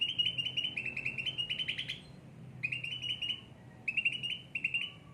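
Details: Caged cucak ranting singing repeatedly: quick pulsed trills at a steady high pitch, a short pause, then several shorter trilled bursts, with a faint low hum underneath.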